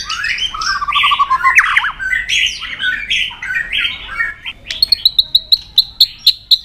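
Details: Provoked white-rumped shama in intense fighting song, mixing harsh, buzzy squawking phrases with a trill, then about ten sharp high ticks repeated evenly.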